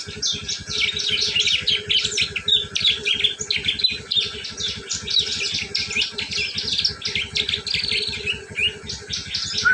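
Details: Ngriwik call of a prinia, used as a lure for prinias: a dense, unbroken stream of sharp, high, twittering chirps run together at a rapid pace, with a constant low rhythmic throb running underneath throughout.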